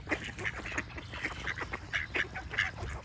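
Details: Clear run of duck quacks, loud nasal calls repeated roughly every third of a second, sometimes doubled, with quieter quacking and faint bird chirps behind.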